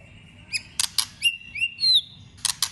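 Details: White-rumped shama trained for singing contests: crisp clicking snaps around a string of short high whistles and a rising slurred note, more snaps at the end.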